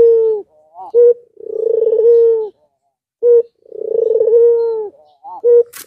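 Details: Albino Barbary dove whose call is used to stir reluctant doves into calling: long rolling purred coos, each followed by short clipped double notes, with a quiet pause mid-sequence.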